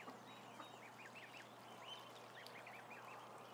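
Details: Ducklings, about a thousand of them, on a live cam, giving clear repeated high arched peeps in quick runs, many birds calling over one another above a low constant hum.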